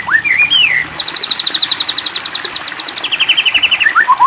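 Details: A White-rumped shama's provocative song, played to stir another shama into singing: a rising and falling whistled phrase, then a long rapid trill of evenly repeated high notes dropping in pitch, ending in descending whistles.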